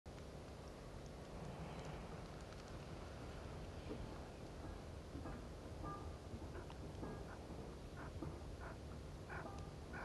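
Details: Chukar at Ein Prat, 19 February 2018, giving short, clucking notes repeated in a quickening series over heavy low wind rumble.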